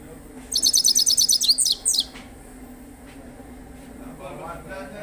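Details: Himalayan goldfinch song: a rapid burst of high, sweet twittering notes for about one and a half seconds, followed by near silence with faint low hum and a soft murmur near the end.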